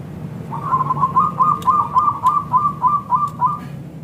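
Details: Zebra dove of local stock in full voice, a lure recording meant to draw replies from other doves: one long even series of about twelve quick, rounded cooing notes, roughly three per second, over steady low background hum.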